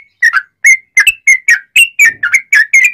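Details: Sooty-headed bulbul, used to train and provoke other bulbuls to sing, giving loud clear notes in the nguplik style: about ten short slurred whistles, evenly spaced, with a rich bubbly quality.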